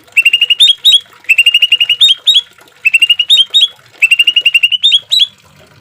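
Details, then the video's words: Green leafbird in a training recording for caged birds, rough 'tembakan' rapid-fire style: four bursts of quick sharp chips, each about a second long and ending in higher upslurred notes, separated by short pauses. "Suara cucak ijo full isian suara kasar tembakan gemericik air"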